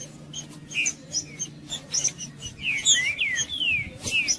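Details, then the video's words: Male Green-winged saltator song used to provoke and warm up other birds: faint chips at first, then a short burst of clear, falling and rising whistles near the end, with a low hum throughout. "Trinca-ferro Macheando 🔥 Trinca ferro cantando Para Esquentar Trinca ferro"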